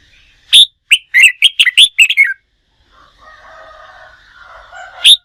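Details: Red-whiskered bulbul, a newly caught wild bird kept for song-contest training: a sharp, high whistled note, then a rapid run of about eight bright chirping notes that slide downward. A faint hum follows, and a single piercing note closes the clip.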